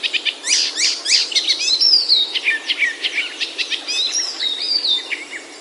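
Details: Several birds sing over one another in a busy, high chorus of quick chirps, sharp trills and thin whistled notes in Himalayan oak forest hills, Himachal, India, with no other sounds; bird chorus.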